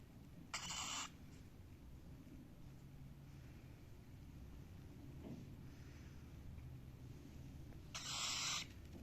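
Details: Cockatiel giving two short, harsh, buzzy chirps, one near the start and one near the end, separated by a long quiet stretch with a low steady hum behind.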